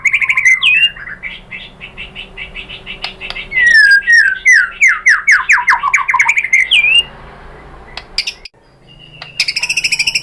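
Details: Caged white-rumped shama song used to provoke other shamas into singing: a loud run of rapid repeated chirps and downslurred whistled notes, a brief pause, then sharp high buzzy phrases.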